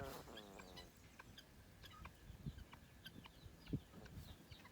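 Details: Sleeping gosling gives a soft, wavering, trilled peep in the first second, then falls quiet, leaving faint rustles and small ticks.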